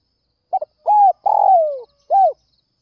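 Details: In early morning in northwestern Vietnam, a spotted dove gives a soft, low cooing phrase used to provoke rival doves: a quick double note, then two hollow coos with a longer drawn-out falling one between, and nothing else heard.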